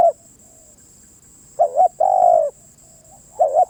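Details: Spotted dove: the tail of one coo, a pause, then a full phrase of a wavering double coo and a long, even, falling coo, then another double coo begins. A thin high whine continues throughout.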